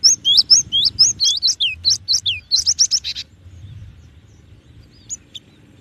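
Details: Cinereous tit (gelatik batu) singing a quick series of bright whistled notes sliding up and down, about a dozen in a row, then quiet with a single faint note; low hum underneath.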